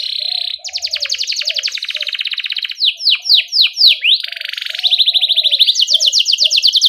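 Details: Canary in full rolling 'ngerol' song for coaching young birds to sing: long dense buzzy trills, a few loud downward-swooping whistles near the middle, then another fast rattling trill.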